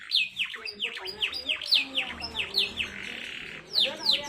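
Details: Fast, close-set canary song with distinctive phrasing, played to stir silent canaries into song: quick series of descending whistled notes, then a brief rasping buzz midway before the whistles resume.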